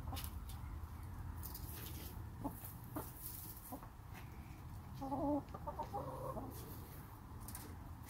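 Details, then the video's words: Soothing chatter from backyard chickens kept in a pen with their owner sitting nearby: faint scattered clucks, then a brief cluster of clear, harmonic clucking notes past the midpoint, over low background rumble. "The rest of this video is for you to enjoy with only the sounds of the chickens and an occasional comment and chuckle from me."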